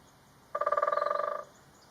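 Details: Great spotted woodpecker drumming in Galdames, Bizkaia, taped from a hide: one rapid roll of about eighteen resonant, ringing knocks lasting under a second, slightly fading toward the end, over quiet background.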